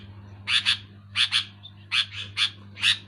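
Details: Sooty-headed bulbul giving loud, clear calls: short harsh paired chirps repeated about every half second to second, over a steady low electrical hum.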